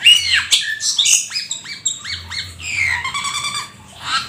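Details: Black-winged starling in lively gacor full isian song: a fast string of varied whistled chirps and trills, with stacked repeated notes near the middle and a quieter tail.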